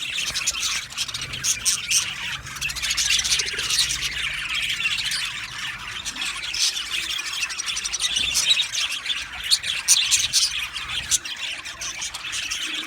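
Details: Aviary colony of budgerigars keeping up long, unbroken chatter: layered high warbles, chirps and rapid clicking from many birds at once.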